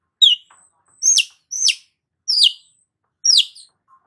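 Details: Piercing, strident chirps from a Long-tailed shrike, each slurring sharply downward, given irregularly about once a second.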